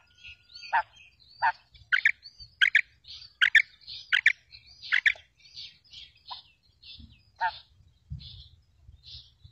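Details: Calling female quail, a lure sound for trapping: a quick run of sharp, raspy notes that grows louder midway, then fades into scattered softer notes. High twittering from other birds overlaps, and low rumbling noise rises near the end.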